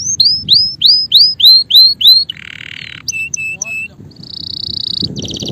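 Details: Male canary delivering loud repeated upslurred whistles, then a buzzy roll, a few clipped notes, and a bright sustained trill ending in a fast rattle.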